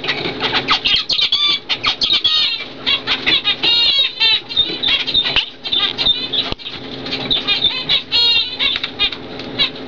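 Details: Pair of zebra finches, a normal cock and a fawn hen bred in 2012, keep up a busy stream of short, nasal, stacked chirps and buzzy song notes with only brief gaps.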